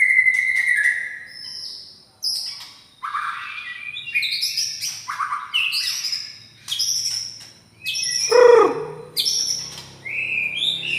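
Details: Kept white-rumped shama of the Medan variety, singing strongly as a lure for other birds: distinct phrases of clear whistles, quick rising and falling slurs and sharp chipping notes, delivered in bursts of one to two seconds with short gaps between.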